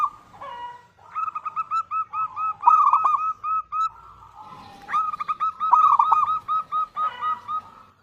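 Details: Local zebra dove singing persistently, a lure for getting other doves to answer; two bursts of quick, evenly spaced cooing notes, each burst lasting about three seconds, separated by a short lull.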